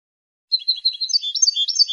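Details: European goldfinch singing to defend its territory and attract females: after a brief pause, a fast, twittering run of high, liquid notes with tinkling trills, continuing unbroken to the end against a silent background.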